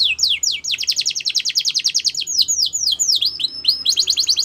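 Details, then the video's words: Loud canary song meant for training: quick falling notes lead into a long fast trill of bright repeated syllables, a few swooping downslurred whistles, then the trill resumes. "Canary's Most Powerful Song For Training"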